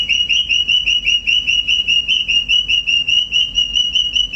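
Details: Male pet cockatiel doing a siren impersonation: a steady stream of clear whistled notes, each rising and then holding, repeated about two and a half times a second without a break.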